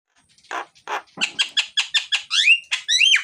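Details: Myna (jalak) in loud, chatty full song, played to coax lazy mynas into singing: a run of harsh, buzzy rasping notes at about two per second, ending in two bright rising whistles.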